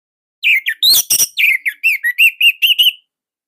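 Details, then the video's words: Orange-headed thrush song from Indonesia, loud and unique in type, used as master material for other thrushes; sharp clicks then a steady run of about ten clear whistled notes, each slightly upslurred. "Kicaumania Anis Merah Indonesia//Gacor Nonstop."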